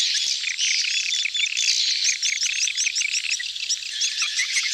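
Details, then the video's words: Many swiftlets gathered and calling in heat during mating, "betompok" lure style: rapid high chirps and short sweeping twitters overlap in a thick chorus, with brief clearer whistled notes standing out. "suara tarik walet ramai,kerumunan kawin / birahi "BETOMPOK""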